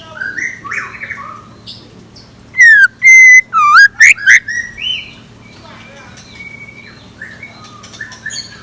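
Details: Morning decoy song of a scarlet minivet: a tight series of five or six loud, sharp whistled notes, some rising and some falling, set among fainter scattered chirps before and after.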